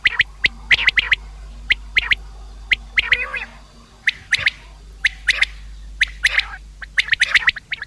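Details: Common quail, a call for hunting: sparse, sharp high clicks in pairs and small groups, spaced by short quiet gaps, with a few softer, blurred calls.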